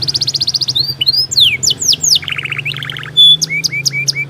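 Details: Canary singing, meant to prompt stalled, lazy canaries: a quick run of pulsed notes, looping down-slurred whistles, then buzzy rolled trills and a few sharp upward chips.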